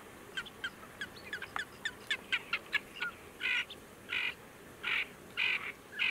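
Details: At Tablas de Daimiel National Park in Ciudad Real, Spain, August 2022, a Ferruginous duck gives sharp ticking notes, then a steady series of coarse, buzzy grating calls spaced roughly half a second apart.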